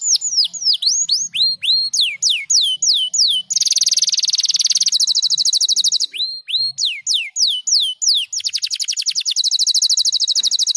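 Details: Canary delivering a loud varied song, falling whistled slurs followed by long rapid buzzy trills, then more sweeping notes and another fast rolling trill.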